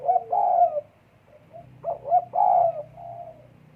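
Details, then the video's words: Spotted dove in breeding condition, recorded 12 December 2022: two cooing phrases, each opening with short rising notes and ending in a longer, mellow drawn-out coo, the second phrase followed by a softer trailing note. "EMUSI KUAT BURUNG PUTER DEKUKUR LAGI BIRAHI"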